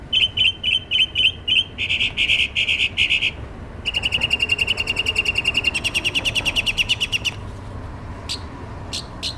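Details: Bird singing outside a studio, giving rapid, buzzy trilled bursts. Short rattling groups come first, then long, fast even trills, and the song ends with a few scattered notes over faint background hiss.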